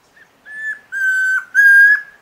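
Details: Chestnut-crowned antpitta song at Alto San Miguel: three clear, level whistles, the second and third long, like 'com-pra-pan', after a faint short note. No other sounds.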